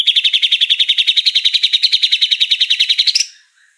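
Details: Murai singing a fast 'trotol' trill from a 2021 masteran training recording: a run of about 25 sharp, buzzy notes at an even high pitch, roughly eight per second, ending abruptly after three seconds with a brief higher note.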